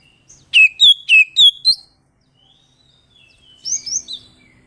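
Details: Oriental magpie-robin in 'ngeplong' style, sung to provoke a rival: five evenly spaced loud falling whistles, a faint thin note after them, then a quieter high twittering phrase.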